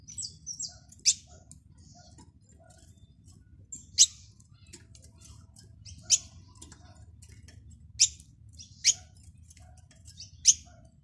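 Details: European goldfinch chirping: sharp, isolated high chirps roughly every two seconds, with faint softer notes between them over a low background rumble.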